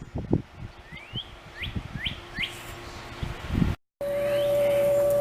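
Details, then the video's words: A Northern Cardinal sings near a backyard grill on a warm (about 75 °F), low-humidity day: four clear, rising slurred whistles, about two per second, over low thumps and a steady mechanical hum. "Hear that cardinal?"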